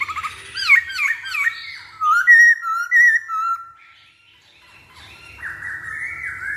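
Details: Masked laughingthrush singing as a lure to get other birds singing: quick looping whistles open the phrase, followed by clear slurred whistled notes. A quiet pause comes next, and a faint drawn-out whistle ends it.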